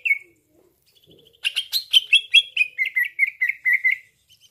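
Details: Lure call of a green leafbird used for trapping, drawing quick replies from other leafbirds: a single whistle, then a dense string of rapid chirps slurring downward and fading.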